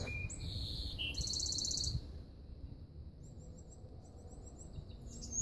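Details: Golden-cheeked warbler singing a high, thin phrase: a short whistled note, a rapid buzzy trill, then a lower slurred note, followed by fainter high buzzy notes later, over a steady low rumble of background noise.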